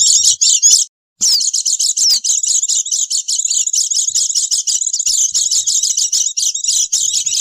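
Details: Noisy Oriental white-eyes played as a lure for catching wild birds: after a brief pause, an unbroken stream of high, scratchy twittered notes, many overlapping calls packed tightly together.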